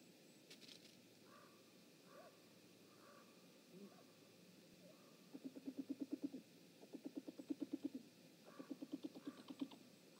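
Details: Great grey owl parents visiting their nest, caught on a live nest camera on 19 March 2018 at 19:32: quiet, low, rapid pulsed calls in three runs of several beats each, after a few soft scattered notes.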